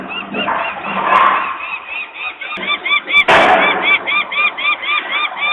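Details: Peregrine falcon parents at a nest site in Włocławek, Poland, 23 May 2022 mid-afternoon, walking around screaming while workers make noise nearby and the young stay on the landing; harsh repeated arched cries, a sharp bang midway, mechanical rumble early.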